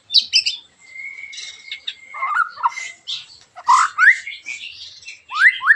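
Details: White-rumped shama in full song, a sharp, rough 'tembakan' style meant to provoke other shamas into singing: a long level whistle, then buzzy bursts and quick rising whistled sweeps, loud and varied.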